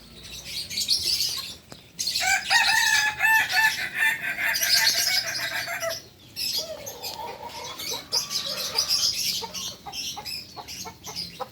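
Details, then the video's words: Kokok Balenggek rooster crowing: a long, pulsed, stepped series of harmonic notes lasting about three seconds, followed after a short gap by a second, lower and softer phrase, over steady high-pitched background hiss. "Ayam kukuak balenggek"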